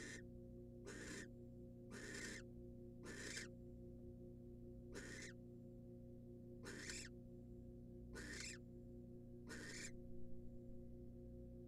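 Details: Wild female barn owl receiving prey, a rat, from the male at a monitored nest box; short bursts of harsh hissing screech, some paired closely, others separated by pauses of a second or more, with a continuous low hum.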